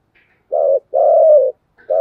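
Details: Spotted dove in continuous cooing, a short low coo followed by a longer drawn-out hoarse coo, then the next phrase beginning.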